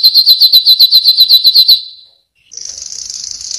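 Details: Yellow canary singing a fast series of bright repeated notes, about a dozen evenly spaced pulses in under two seconds, then a brief pause and a sustained high buzzy trill to the end.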